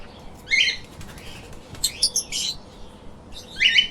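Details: Brief scratchy chirps from lovebirds in three separated bursts, the middle one a quick harsh cluster, with quiet gaps between.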